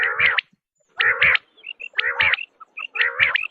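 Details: Quail calling: four loud, harsh, nasal bursts roughly once a second, each ending in sharp high notes, with short clear whistled notes in between.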